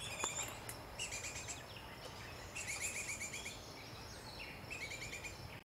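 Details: Baltimore orioles, both parents, tend their nest at Salt Point, 27 June 2020. Harsh chattering bursts recur roughly every second or two, separated by brief pauses.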